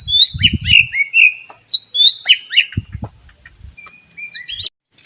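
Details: White-rumped shama in morning song meant to stir other shamas to sing: sharp, twisting whistled phrases mixed with harsh notes, separated by pauses, over low thumping sounds.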